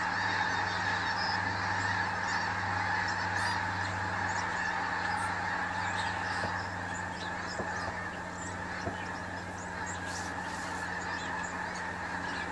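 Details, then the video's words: Snow geese heard on a hunting trip, a fainter mass of overlapping high honks running throughout, fading slightly toward the end over a constant low hum. "Snow geese"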